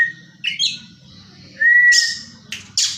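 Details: Caged Oriental magpie-robin in training, delivering kingfisher-style material: a long clear whistle sliding slightly upward, preceded by short bright notes and followed by two harsh high bursts, over a faint rhythmic low rumble.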